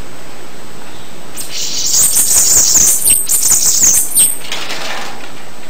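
A Bananaquit gives a very high, thin, hissing jumble of rapid buzzy notes lasting about three seconds, over a faint low background hum.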